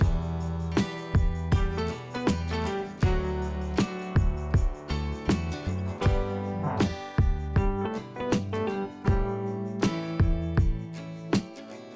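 Plucked acoustic guitar music with steady strummed notes, and no animal sounds heard.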